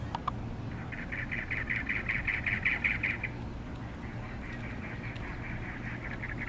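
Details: Cactus wrens, presented as a pair in love: a rapid, harsh chugging series of about five raspy notes a second, then a second, quieter run, over a low background rumble.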